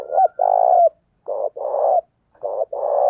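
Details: A spotted dove gives a lure call used to rouse rival males. Three low cooing phrases come in quick succession, each a short coo followed by a longer level purr, spaced about a second apart. There is no background noise.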